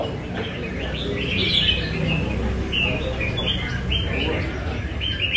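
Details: Red-whiskered bulbul from Nam Đông singing during cafe practice in Da Nang, Vietnam; spaced, rising whistled phrases and chirps amid other birds, with a low hum underneath.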